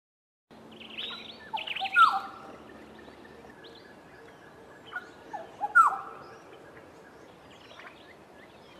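Black-headed Oriole giving two bursts of liquid, fluty whistles with sliding notes, a few seconds apart, over faint steady background hum.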